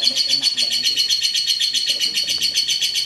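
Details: Ngekek of a prize-winning competition lovebird from Klaten, Indonesia: a dense, high-pitched stream of fast, evenly pulsed chatter, roughly four beats per second, continuous throughout, with faint human voices underneath.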